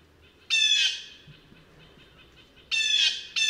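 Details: Harsh, nasal screams from a blue jay (Cyanocitta cristata): one long grating call, a pause of about two seconds, then another begins, over faint background noise.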